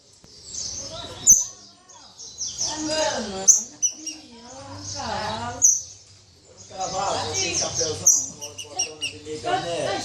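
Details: Green-winged saltator (pixarro), angry and agitated, from an aviculture breeder in Sorocaba, São Paulo, giving harsh snoring rasps and sharp clicking notes in ragged bursts about every two seconds, with brief chirps and short silent gaps between.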